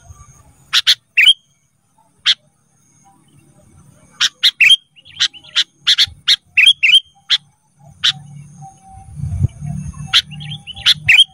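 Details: Sooty-headed bulbul song for training cage birds: many sharp chips and short whistles in loose clusters over eleven seconds, with a low hum rising near the end.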